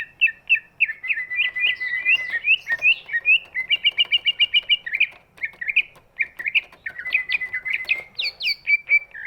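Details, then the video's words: Sustained varied song of a big-bodied greater green leafbird, used to stimulate birds that rarely sing; rapid whistled phrases, chattering trills and high slurred notes pour out almost without pause for nine seconds. "cucak ijo body big, suaranya bisa buat pancingan burung yang malas bunyi"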